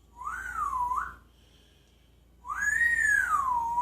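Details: Parrot in Jeddah, one that talks, sings and imitates sounds, giving clear whistled notes: a smooth rising-and-falling phrase, a pause of over a second, then a longer arching whistle that sweeps up and settles lower, in a quiet indoor setting.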